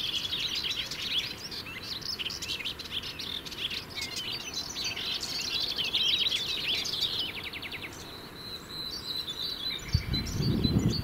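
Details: Melodious warbler singing each morning from the highest tip of a shrub beside a lane at Château de Pellebuzan in the Brenne, France, a territorial male; fast, chattering, varied twittering phrases for about seven seconds, then softer bird notes, low rumble and a thump near the end.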